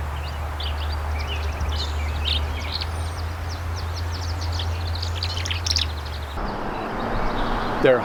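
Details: Tree Swallows at Somenos Marsh, Vancouver Island, British Columbia, where they nest in provided boxes, give rapid, high-pitched liquid chattering calls that stand out over a strong low hum of traffic noise, with a man speaking faintly.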